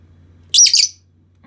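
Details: A pet Lilian's lovebird (Agapornis lilianae) gives one sharp, scratchy, high chirp under half a second, then goes quiet over a faint low hum; this bird is known to imitate its owner's sneeze.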